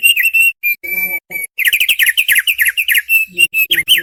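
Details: Thick-billed white-eye song meant to train cagebirds: opening whistles and a long level note, then a lively rapid sequence of slurred chattered notes, closing with rising whistled phrases.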